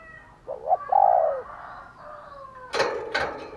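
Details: Spotted dove cooing in the morning, in a recording meant to provoke fighting: one low husky coo, a short doubled note then a longer falling one, followed by sharp broadband knocks and rustling.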